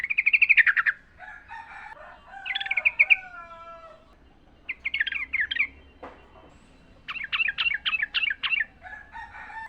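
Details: Yellow-vented bulbul singing in the wild, a recording for teaching caged birds: loud chattering bursts and a rhythmic series of six rolling notes, with thin descending whistles from other birds between phrases.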